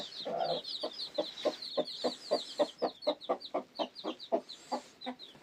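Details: Newly hatched chicks peep in a steady rapid series, high thin chirps, while a lower clucking pulse repeats about four times a second underneath.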